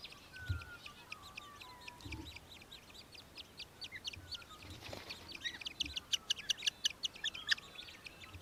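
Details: Australian hobby, Victoria, Australia, December 2023. Scattered high notes at first, then a quick, even chatter of sharp repeated calls in the second half, with a few low thumps early on.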